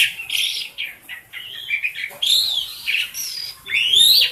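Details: Tame pet black-collared starling, kept as a noisy caged bird for training other birds, singing a loud varied run of harsh chattering notes, squeaky whistles and rising slurred phrases with brief pauses between bursts.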